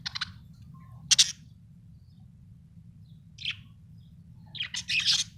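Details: Happy budgerigar giving short, high, scratchy chirps in scattered bursts, ending in a rapid chattering run, with a constant low hum beneath.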